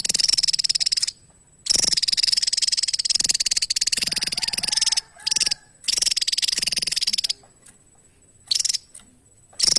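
Javan tesia: loud, very high, rapid buzzy chatter in bursts of one to three seconds, separated by short pauses.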